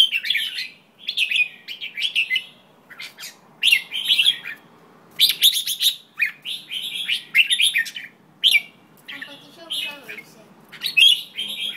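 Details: A white-tailed jambul keeps up loud, scratchy chatter for the whole stretch, with bursts of quick, rasping chirps repeated every second or so and brief quiet gaps between them.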